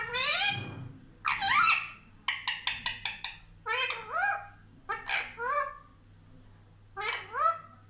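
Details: Pet Indian ringneck parakeet that talks, saying 'mummy papa': uneven nasal, word-like phrases with upward-bending tones and a brief rapid stutter of syllables, spaced a second or so apart.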